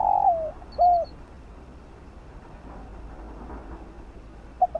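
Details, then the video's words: Spotted dove cooing in the fast field style used to train decoy birds: a long coo sliding downward and a curved closing note, a long quiet gap, then the first short notes of the next phrase. "Chim cu gáy kích bổi gáy nhanh❣ tiếng chim cu đất gáy gọi giọng đồng kích bổi tập mồi hiệu quả"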